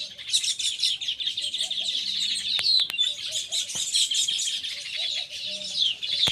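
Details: Baya weaver calls: a busy stream of rapid, buzzy chirps and twittering notes, steady and overlapping as from several birds, with occasional sharp clicks and faint lower chirps.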